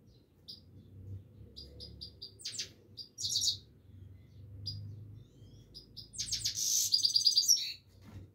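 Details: A Himalayan goldfinch sings continuously in bright, high chips and short tinkling twitters, ending in a fast, buzzy trilled burst, over a faint low indoor hum.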